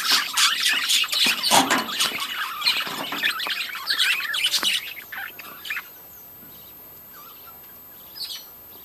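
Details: Budgies of a breeding colony in loud, dense, scratchy chatter for about five seconds, then dropping to near quiet with only a few faint chirps left.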